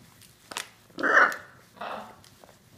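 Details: Two pet hyacinth macaws playing with each other give a rough, growling squawk lasting about half a second, then a shorter, softer grating call, amid light tapping and shuffling sounds.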